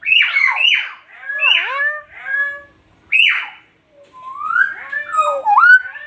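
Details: Nias hill myna from North Sumatra, Indonesia, mixing harsh descending squawks with clear bent whistles dipping and rising, a pause, then a long wavering whistled phrase climbing and falling.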